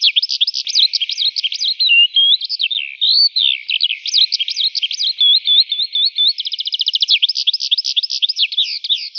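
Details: Eurasian skylark singing in the morning, rising high into the sky: a continuous, rapid flow of warbled, trilled and whistled notes, high-pitched and unbroken, with fast buzzy trills and varied chirps, no other sounds.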